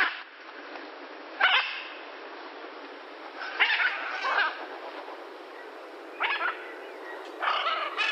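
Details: Blue-and-yellow macaw (Ara ararauna), call.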